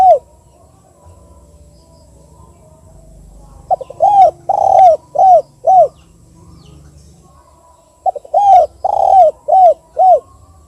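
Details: Spotted dove (Indonesian tekukur, "KUK 2" type), used as a lure call to prompt other doves to answer: soft, low, hollow coos in two bursts of five or six notes, each opening with quick short notes before the fuller coos.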